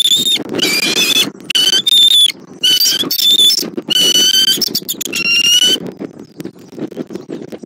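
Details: Bald eagle calling at its Southwest Florida nest on 20 January 2024 while the father delivers a fish; loud series of piercing, squealing piped notes, each about a second long, then falling quiet into low rustle.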